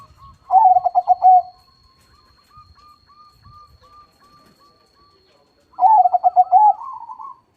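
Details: Zebra doves, perkutut, singing loudly in a crossing session: two rapid trilled cooing phrases, each ending in a rising note, separated by a run of softer evenly spaced coos from other birds.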